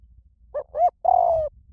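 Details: High-voiced spotted dove cooing, used to draw captive spotted doves into answering; a pair of brief rising coos leads into one drawn-out, throbbing coo.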